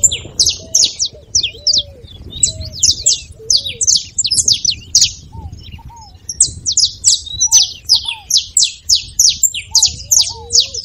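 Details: Lively saffron finch song meant to fire up a quiet caged bird: dense runs of bright, high chips and trills, broken by occasional lower, rising and falling whistles, over a low background hum.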